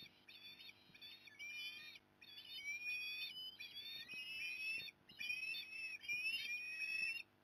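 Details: Osprey at a nest in Port Lincoln, Australia, on 15 November 2020, as the mother comes to help; high whistled notes in a long run of calls, each slurring upward, with brief gaps between bursts.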